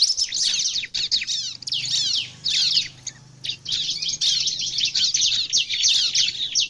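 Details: Bar-winged prinia song used to lure other prinias: sustained, rapid high twittering and scratchy downslurs in bursts with one brief pause, a faint low hum below.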